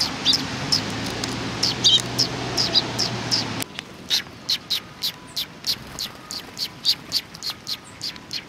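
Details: Eurasian tree sparrows arriving to be fed at a Tenmangu shrine on 24 April 2019; rapid, clipped chirps repeated several times a second, a low hum in the first half, then a quieter, evenly spaced run of chirps.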